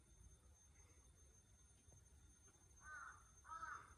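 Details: Crows in Japan at 5 am on a hot summer morning, Saturday 25 June 2022: after a stretch of steady low background hum, two hoarse caws come close together near the end, fairly distant.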